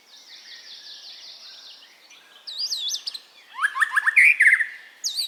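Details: White-rumped shama, played to train caged birds to sing; begins with soft repeated high trills, then loud bouncing whistled phrases and a quick rattling series of rising notes.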